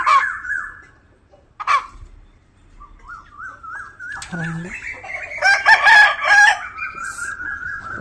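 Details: Rooster crowing at dawn in a village, a long wavering crow rising and holding steady for about five seconds, preceded by short clucks, with a brief low honk and clicks mixed in midway.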